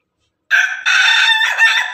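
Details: A crow from Pelung and Ketawa chickens heard together, starting abruptly after silence. It is loud and dense in harmonics, with a short first syllable and a longer, wavering second part.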